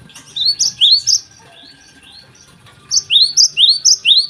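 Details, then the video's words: Java sparrow morning song in two phrases of high, swooping bell-like notes, four then six, separated by a short pause, with a faint low hum beneath. "gelatik gacor di pagi hari"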